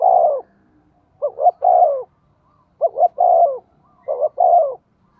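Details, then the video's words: Caged decoy spotted dove singing thổ-style coos. Three full phrases follow a clipped one: a quick double hoot leading into a drawn-out, falling, throaty coo, about one phrase every one and a half seconds, with nothing else audible. "Chim Cu Mồi/ cu gay kich boi nhanh noi"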